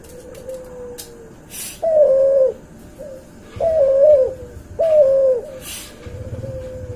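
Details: From a cuhu dove, hybrid of a white albino puter and a puter pelung, come soft low coos and three louder rounded coo notes, interspersed with sharp tapping or clicking sounds, for use as tutor audio.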